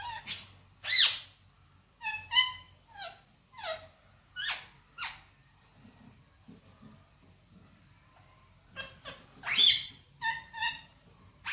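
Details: Pet male Indian ringneck parrot speaking Hindi-Urdu words indoors: sharp, harmonic squeaky syllables in spaced clusters, a quiet stretch midway, then a fresh run of clipped bright notes.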